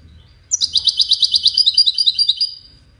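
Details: Wediani goldfinch delivering a two-second run of rapid, evenly pulsed high twittering notes, buzzy and metallic, ending in a thinner drawn-out tone.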